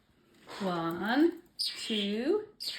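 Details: Pet male parrotlet mimicking human speech in a small room, two drawn-out word-like phrases with rich harmonics that dip and then rise sharply at the end, spaced about a second apart.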